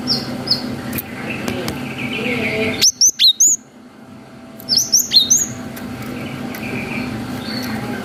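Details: Cinereous tit singing a long 'wucit' song, used as a lure to provoke young birds to answer; two bursts of four to five sharp, high whistled notes swooping downward, separated by a pause, over a steady low hum.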